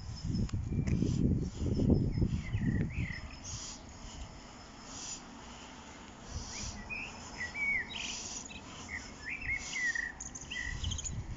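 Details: Common blackbird singing in spring on 1 April 2021 at Lanfertsweg among daffodils; short fluty, warbled phrases with upslurred notes in the second half, over low rumbling background noise and bumps early on.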